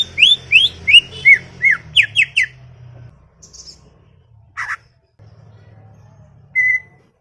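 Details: Chattering greater green leafbird in a garden delivering a burst of about nine rapid whistled notes, rising and falling, in the first two and a half seconds, then near silence broken by a single buzzy note and a short whistle.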